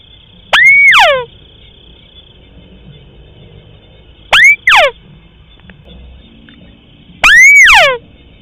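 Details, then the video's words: Crake lure sound for hunting: three loud calls, each a rising whistle that flattens and then tumbles down in a harmonic slur. A quick double note sits between them, over a constant faint high tone. "suara pikat tikusan sawah durasi pendek"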